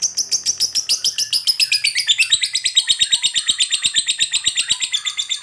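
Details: Fighter lovebird giving a long ngekek, meant to rile other lovebirds; a fast run of rasping high chirps that slides gradually lower in pitch midway and keeps going unbroken.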